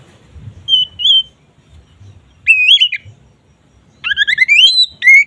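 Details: Oriental magpie-robin (kacer) ngeplong song, said to raise mating drive: spaced whistled phrases, a soft two-note whistle, a warbling slur, then a rapid run of rising notes and a final bright whistle. Low background rumble.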